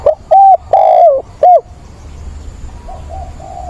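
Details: Spotted dove kept as a decoy, mature-voiced, calling to find a mate on 17 September: one loud phrase of four hollow coos with a longer slurred middle note, then quiet with soft far-off answering coos.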